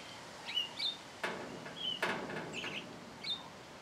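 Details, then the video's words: Thrush at its singing hour, giving short clear whistled notes and slurred phrases spaced irregularly, with two sharp broadband knocks cutting in midway over a steady background hiss. "Zorzal en su hora de cantar"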